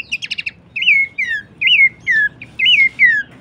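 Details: Horsfield's babbler song for songbird training: a quick rattle of notes, then a series of loud, clear, rising-then-falling whistles, about two per second.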